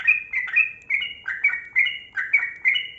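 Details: Kebo-type yellow-vented bulbul in lively 'gacor' song to get quiet bulbuls singing: bright liquid whistles in paired up-and-down notes, repeated evenly about every half second.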